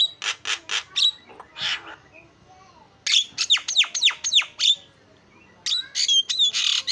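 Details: Javan myna in full song with isian fill-ins: several rough bursts, a pause, then a quick series of sharp downward-swept whistles, and finally warbled whistling phrases over harsh chatter.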